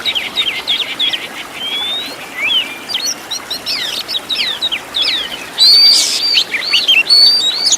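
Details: Oriental magpie-robin song from a master track for training caged birds: a quick series of short whistled notes, then scattered sharp slurs and a loud, harsh burst with high whistles near the end.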